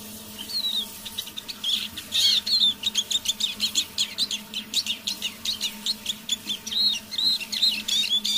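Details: Evening half-voiced song of a decoy Eurasian siskin: fast chattering twitter with clear rising and falling whistled notes, about three elements per second, with a constant low hum behind.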